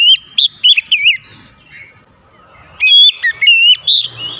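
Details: Oriental magpie-robin provoked into singing aggressively: loud, clear whistled phrases with sharp rising and falling notes, delivered in two bursts separated by a quiet gap.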